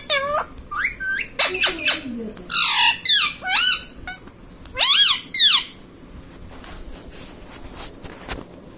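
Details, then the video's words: Pet ringneck parrot indoors talking, said to be saying 'mummy papa': a series of loud, harsh, rich sliding notes, some rising and some arching, in short bursts, then fading to quiet room noise. "ringneck parrot talking mummy papa || मम्मी-पापा बोलता तोता"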